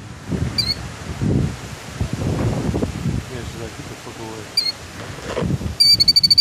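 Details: Mother killdeer guarding her nest gives two shrill, high single notes, then a fast run of piercing repeated calls, over wind, rustling and a low murmur of voices.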